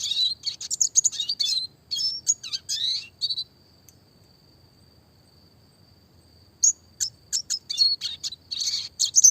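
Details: Classic red siskin song for songbird training: dense high twittering and buzzy phrases, a long gap with only a thin steady tone, then renewed quick chirping.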